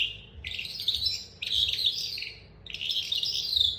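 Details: Tutored young calandra lark in captivity practising song: three short bursts of high, twittering and whistled notes, each under a second long, separated by brief silences.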